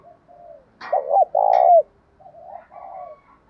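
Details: Calling spotted dove provoking a fight: soft low notes lead into one clear phrase of two quick hoots and a long coo that bends down at its close, quieter trailing notes after, a couple of faint clicks.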